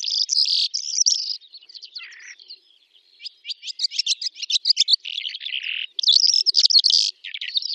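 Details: Calandra lark in song over the Astrakhan steppe, Russia, May 2017; dense bursts of high chattering notes and trills, a short quieter lower passage midway, then renewed rapid rattling phrases.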